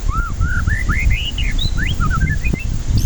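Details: White-rumped shama song played as a lure to stir stressed, silent birds into singing: a fast run of varied slurred whistles, rising and falling, one after another, over strong low rumbling background noise.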